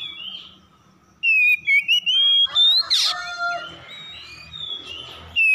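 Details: Oriental magpie-robin singing in a morning answering exchange of harsh song: a long sliding whistle, rapid rasping notes and a noisy burst, followed by softer whistles and low background hum.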